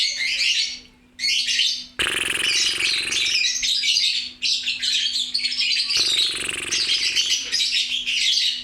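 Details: Loud, busy lovebird chatter: dense, shrill, scratchy twittering poured out almost without pause after a short gap near the start, over a faint constant electrical hum.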